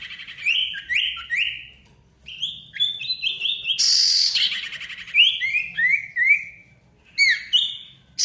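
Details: Male ashy tailorbird in loud, busy full song, played to bring silent tailorbirds back into song: quick runs of sharp, downward-slurred whistled notes in short bursts, with a brief harsh rushing burst midway and short pauses between phrases.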